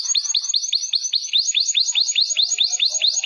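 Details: Canary training song: a fast, even run of repeated downward-swooping whistles, roughly five per second, bright and piercing, with a faint low tone near the end.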